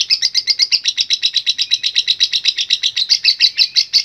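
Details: Lovebird in full ngekek, a long unbroken chatter: rapid harsh buzzy chirps, about two per second, each dipping and rising, kept up evenly throughout with no pauses or other sounds.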